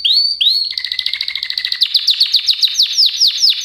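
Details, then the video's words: Short burst of canary song: two rising whistles followed by a fast even trill and then repeated downward-swept notes. "Kanarya sesi | Kanarya ötüşü | Canary Sound"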